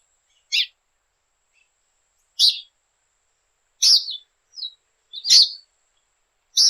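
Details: Tanager from Latin America giving sharp, very high chip notes, single short bursts spaced about one to two seconds apart, with a couple of softer high ticks between them; no other sounds against a silent background.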